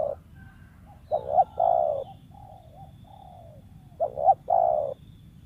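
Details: Wild spotted dove kept as an ideal lure voice, said to stutter at times and give kuk 1-2; two loud phrases of a clipped double note plus a long coo, with soft cooing fragments between.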